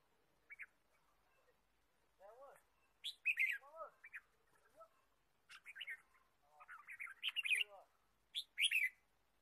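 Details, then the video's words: Red-whiskered bulbul in the wild forest, recorded during bird trapping on 23 March 2017; bursts of bright chirps and short slurred whistles, some notes sweeping down, in scattered phrases across the recording with quiet gaps between. "Red-whiskered bulbul Chirping"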